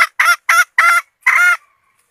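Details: Red junglefowl hen used as a decoy to lure males, recorded 2022-2023: five loud, nasal, harmonic clucking notes. The first four are short and evenly spaced, and the last is longer and drawn out, over a quiet background.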